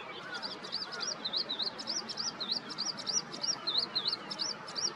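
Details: A Eurasian skylark sings in the morning over a vegetable garden east of Yanagishima Sports Park, Japan, 15 May 2021, pouring out a fast, unbroken stream of high, warbled and trilled notes with quick slurred whistles.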